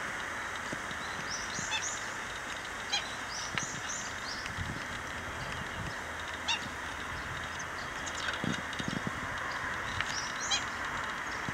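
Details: Black-winged stilt in Okinawa, Japan, on May 5, 2009: short, sharp yapping notes scattered in small clusters, over a steady hissing background band.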